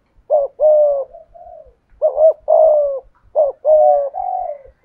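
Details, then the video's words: Decoy spotted dove with a 'thổ' voice: three short-long coo pairs, each ending in a soft trailing low murmur. "Chim Cu Mồi/ cu gay giong tho cuc dinh"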